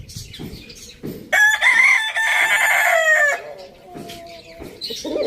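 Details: Domestic rooster at a village farm gives a single strong crow about two seconds long, steady and strident with a dropping finish. Quieter clucking sounds come before and after it.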